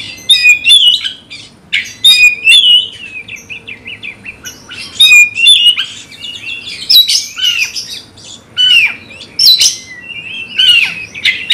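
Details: Magpie-robin singing to provoke a rival into a fight: loud, rich phrases of whistled slurs and sharp chattering notes, bursts every second or so with short pauses between, no other sounds.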